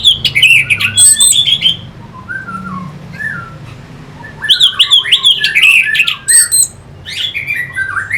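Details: Lure song of an orange-headed thrush, recorded in Singaraja, Bali, to rouse competing birds: dense bursts of squeaky, harsh chattering notes mixed with clear whistles, broken by a softer passage of low warbled phrases.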